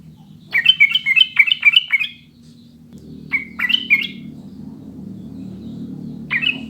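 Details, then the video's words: Sooty-headed bulbul song, a clear recording meant to get caged birds singing quickly: a rapid burst of five or six liquid whistled notes, then scattered single phrases after a pause, over low background hum. "SUARA JERNIH PANCINGAN MASTERAN TRUCUKAN UNTUK BURUNG AGAR CEPAT BUNYI DAN GACOR"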